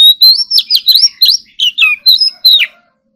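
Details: Morning singing practice of an Oriental magpie-robin in competitive, full-fill style: an unbroken string of loud, clear whistles that rise and fall sharply, each phrase quickly following the last, ending in a downward slur.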